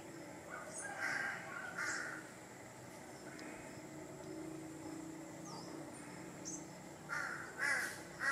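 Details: Large-billed crow in a village backyard in Thailand, giving harsh, hoarse caws: two near the start about a second apart, then a quiet stretch, then three more rough calls near the end. Faint distant bird notes and steady background rumble.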